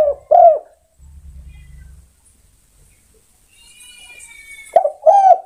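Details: Spotted dove calling other birds: two short, throaty coos at the start, then near silence with faint rumble, and another pair of hoarse coos at the close.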